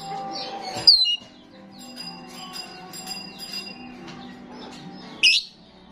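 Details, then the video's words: Lure sound of a frequently singing starling for attracting starlings: a shrill squeaking burst, soft twittering, then a harsh ringing call about four seconds later over a low hum. "Attract starlings ‼️ sound of the gacor starling every time"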